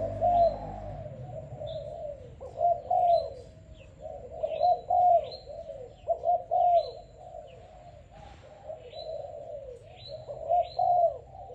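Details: A young, selected Malaysian spotted dove, recently started and calling vigorously, gives low, soft, rolling coos in phrases repeated every two to three seconds, with thin high chirps from small birds in the background.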